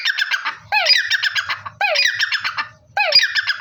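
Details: Black francolin calling: loud, harsh, grating phrases of rapid buzzy notes, each opening with a falling rasp, given in bursts about once every 1.1 seconds with short pauses between. Faint low hum in the background.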